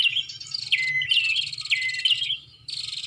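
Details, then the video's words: Bar-winged prinia calling for use as a lure: quick high chirps and two or three downward-sweeping notes, ending after a short pause with another bright burst. "Suara Pikat Burung Prenjak"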